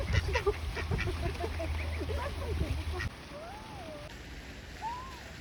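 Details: Goslings of a wild Canada goose family with 12 goslings, in the Netherlands, give a quick run of thin, high peeps, then two slower whistled notes that rise and fall, over a low rumble in the first half.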